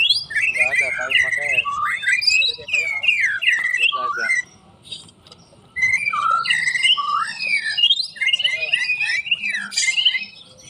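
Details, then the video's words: Loud, fluent song of a white-rumped shama: rapid rich whistles and warbled phrases, a brief pause midway, then another burst of varied looping notes. "Burung Murai Batu Gacor, Tembakan Keras, Suara Rapet"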